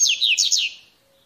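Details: Brief mateiro song fragment from a wild coleirinho, the Double-collared Seedeater: three or four quick, high, downward-sweeping whistled notes that fade out within a second.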